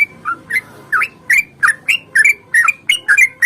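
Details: Sooty-headed bulbul fighting song, used as a lure to make bulbuls sing. Short, rising, whistled chirps come at an uneven pace over a faint background murmur.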